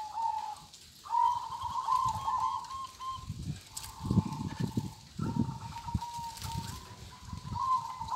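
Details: Kong-style song of a local zebra dove: a run of rolling, vibrating coo phrases broken by short pauses, with dull low knocking sounds between them.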